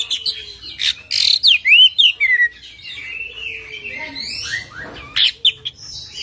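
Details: Oriental magpie-robin delivering full isian, rolling gacor song: bursts of loud slurred whistles and rising and falling sweeps, broken by short pauses, with scratchy high chips between phrases.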